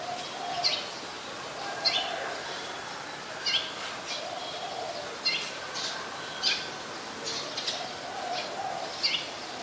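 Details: Brown-throated sunbird in Ubon Ratchathani, Thailand, 13 January: short high sharp chips repeated about every one to one and a half seconds over steady rural background hiss, with a low hum running underneath.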